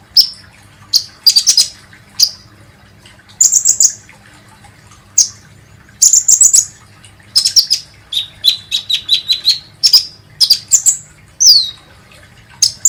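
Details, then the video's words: High, sharp chirps from a kolibri ninja sunbird, used as a lure to set birds singing, in short clusters, later rapid, slightly lower repeated notes and a fast twittering flourish. "SUARA BURUNG KOLIBRI NINJA"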